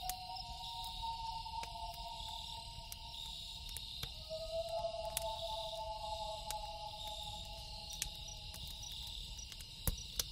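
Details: Night call of a loon: a sustained, haunting wailing tone for four seconds, a brief break, then a longer lower note that rises slightly and fades. Fire crackles and snaps alongside a steady insect hum.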